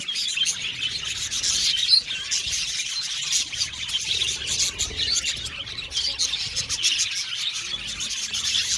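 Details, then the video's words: Budgerigar colony in an aviary, many birds chirping together: a dense, continuous wash of high, scratchy twittering and chattering with quick overlapping notes and no pauses, steady in loudness throughout. "Budgie Sounds for Lonely Budgies | Natural Relaxing Chirping Sounds"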